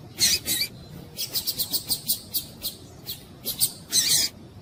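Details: Female double-collared seedeater (coleiro tui-tui) calling persistently to warm up and stimulate a male, kept by tournament breeders; a quick series of about a dozen short, harsh, high chirps, some grouped in pairs, over a faint background hum.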